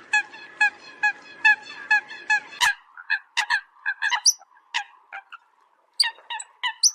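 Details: Eurasian coot flock call: an evenly spaced series of short honking notes, then a faster jumble of higher, varied yelps from several birds.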